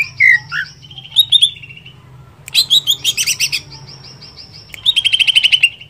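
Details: A greater green leafbird, a kept songbird in full song, sings bright, varied whistles and quick chattering trills in high bursts over about six seconds, with a faint low hum beneath.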